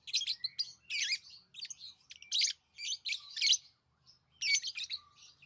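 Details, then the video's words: Lovebirds giving rapid, shrill chirps in clustered bursts of scratchy, high notes, with brief silent gaps between the groups. "Love birds Sounds | lovebirds chirping sounds"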